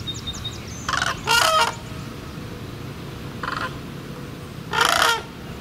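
Sandhill cranes give loud, rolling, trumpeting rattles in four bursts, the longest about half a second. Faint high chirps from a small bird open the clip over a low rumble.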